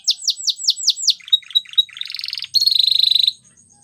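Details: Waterslager canary song: a run of six rapid down-slurred whistles, then short clucking notes and a buzzy rolling passage, ending in a loud, fast, evenly pulsed water-like trill.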